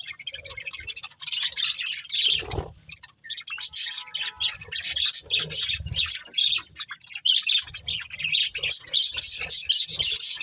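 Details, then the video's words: Budgerigar breeding pair kept as a family, chirping and squawking in a busy mix of high warbled chatter and sharp notes, with brief low thumps in between. "Beautiful Budgies Chirping Sounds | Love Birds Breeding Pair"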